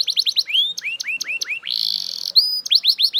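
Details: Belgian canary song, loud and fast: rapid sweeps, rising slurred notes, a dense buzzy trill, a single pure whistle, then more quick sweeps.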